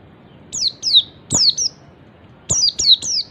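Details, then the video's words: Oriental white-eye giving its ngalas call, said to make other white-eyes join in: sharp descending notes sliding from very high to high pitch, given in pairs and triplets with short gaps. "MASTERAN PLECI NGALAS SUARA CALL BIKIN SEGALA JENIS PLECI LAIN IKUT NGALAS."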